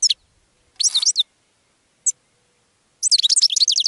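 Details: Goldfinch song for attracting other birds: a single chirp, a short jumbled burst of high notes, another lone chirp, then a quick, lively twittering run.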